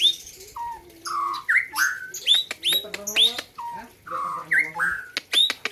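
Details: Loud, melodious competition song of a white-rumped shama from the Gayo highlands, Aceh, in 2021: low whistles, sweeping slurs, sharp upswept notes and buzzy phrases repeated in rich, fast sequence.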